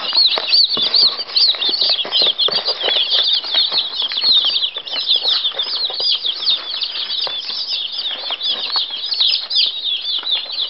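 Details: Six-day-old chicks of laying Sussex hens peep continuously, a dense chorus of high, thin overlapping cheeps with no pauses, many birds calling at once.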